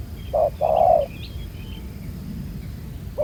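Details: A single spotted dove phrase from a black-collared wild field bird at a ground trap: one short coo then a long, steady, hollow coo, followed by quiet chirping of small birds in the distance.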